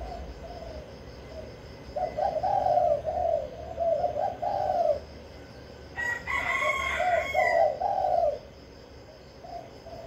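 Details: Decoy spotted dove in a cage in Vĩnh Long, Vietnam, calling to attract wild doves, repeats low hollow coo phrases; a rooster crows loudly over the middle of the sequence.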